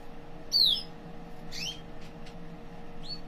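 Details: A red mosaic canary, kept as one of a newly paired couple with a nest fitted and the female starting to build, gives a sharp, falling whistle followed by a few brief, scattered chirps over a steady hum.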